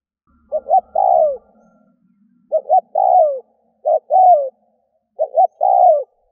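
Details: Lure call of a spotted dove used to attract doves: four coo phrases of a stuttered double note plus a long descending coo, with a faint low hum behind the first phrase.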